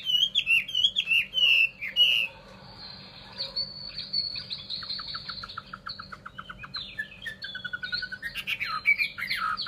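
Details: Chinese hwamei kept as a caged songbird in Vietnam gives bright slurred whistles, then a long run of quick even clicking notes, ending with loud swooping whistled phrases.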